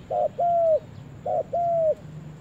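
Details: Spotted dove on a first trip to the forest, giving two matching coo phrases about a second apart. Each has a brief rough note, then a longer, level coo that dips at the finish, over a faint low hum.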